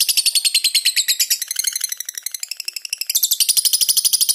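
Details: Lovebird delivering a long ngekek trill with tight pauses, a tutor recording: a fast, shrill chatter of rapidly repeated high notes running unbroken for over four seconds, dipping lower midway before climbing back to a bright, piercing pitch.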